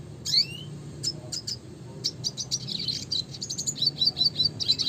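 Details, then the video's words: Red siskin in classic song: after an opening rising whistle, a run of sharp high chirps breaks into rapid twittering trills and quick repeated notes toward the end, over a low steady background hum. "suara kicauan burung red siskin klasik gacor (spinus cucullatus)"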